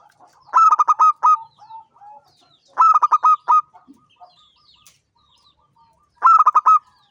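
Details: Zebra dove of local stock, a champion bird in gacor ngancing song: three evenly spaced phrases of rapid, throaty cooing pulses, each ending in a slightly drawn-out note, in an otherwise quiet setting.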